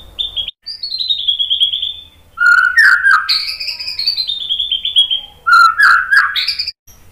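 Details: White-rumped shama song used to provoke other birds to sing: clear high whistled phrases falling in quick repeated steps, mixed with lower rich whistles and sharp notes, in varied bursts with short gaps.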